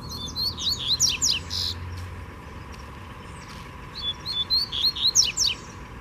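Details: A free wild Double-collared Seedeater sings forcefully while challenging a caged bird. Two bursts of high, quick whistled notes with sharp slurred chirps and rapid downward strokes, separated by a quiet pause. A low steady hum is heard in the background.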